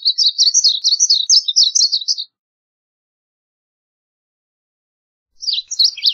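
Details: Song of the varied bunting: a two-second burst of rapid, sweet chirped notes, a long silence of about three seconds, then the start of another lively warbled phrase.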